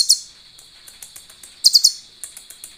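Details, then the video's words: Sunbird, locally konin, in a song with cililin-style fill used to tutor other birds: short clusters of three bright, very high chips separated by softer ticking notes over a faint steady high hum. "KONIN GACOR||MASTERAN Mewah| SUARA ASLI BURUNG KOLIBRI ISIAN CILILIN JERNIH NGALUN MUDAH DI INGAT"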